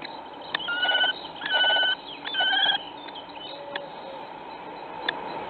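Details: Common kestrel at its nest during nest preparation, filmed by webcam in Théding on 4 April 2019: three drawn-out, level, whining calls of about half a second each with clear overtones, plus faint ticks and a steady background hum.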